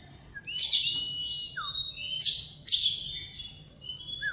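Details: Oriental magpie-robin song in the morning: three strong whistled phrases that start with a sharp high burst and fall into long sliding tones, with faint short notes between them.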